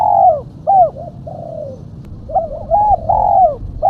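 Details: Female spotted dove call used as a lure for catching doves: soft, hooting coos with downward-curving notes, short notes mixed with longer drawn-out ones in irregular phrases, over low background rumble.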